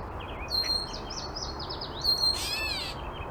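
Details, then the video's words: Catbird runs through quick, squeaky jumbled notes, then gives a harsh, slurred mewing note over faint background hiss. "and now let's listen to the cat bird meow us to sleep"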